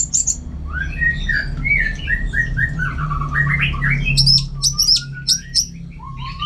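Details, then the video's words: A captive orange-headed thrush (Geokichla citrina), kept at home for song training, pours out a rapid, varied run of chattering and whistled phrases, then high sharp notes and rising whistles, over a low indoor hum. "Super Kicauan ANIS MERAH Gacor"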